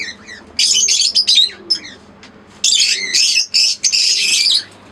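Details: Green Fischer's lovebird pair with an albino red-eyed pair: two loud bouts of harsh, high chattering squeaks, separated by a quieter gap with soft low cooing.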